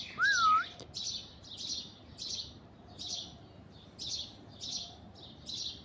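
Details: An Alexandrine parakeet on an orange tree opens with one loud, wavy, rising-and-falling whistle, followed by evenly spaced harsh, noisy chirps about twice a second.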